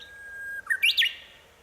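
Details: Song of a Japanese bush warbler around homes in Minami-Boso, Chiba Prefecture, Japan, in April 2018, perched repeatedly on one branch; a held, even whistled note leads into a quick, loud, rising flourish of two or three bright notes.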